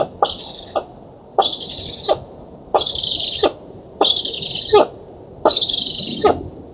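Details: Feeding time at a black stork nest in an oak in Poland, August 2017: young birds give five drawn-out breathy hisses in under seven seconds, each opening and closing with a knock.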